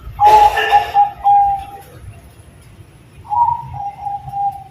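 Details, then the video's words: Zebra dove of the Perkutut Bangkok type in terasan-style gacor song gives a short series of smooth cooing notes, a pause, then a softer two-part coo, with a burst of rustling at the start "Perkutut Bangkok Gacor Terasan Suara Syahdu"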